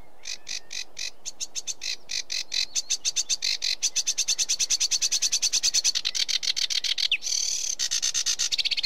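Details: Sedge warbler song: rapid scratchy chattering notes that speed up into a dense rattling trill, then break into a harsh, varied phrase with sweeter whistled elements near the end.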